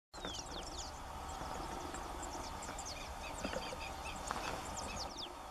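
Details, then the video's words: Short-billed (Puna) pipit, a small ground bird feeding on grassy Andean terrain at Piuray, Cusco, Peru, giving thin, high chips and brief slurred notes, scattered irregularly over a steady low wind-like rumble. "Short-billed Pipit - Puna Pipit."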